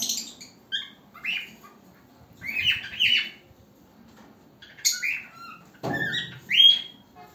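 A cockatiel's first attempts at song: bright chirps and short warbled whistles with a few harsher notes.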